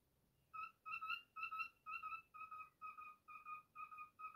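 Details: Pet cockatiel whistling a tune, its take on If You're Happy and You Know It: about nine short, clear, evenly spaced whistled notes at one pitch, roughly two per second, on a quiet background.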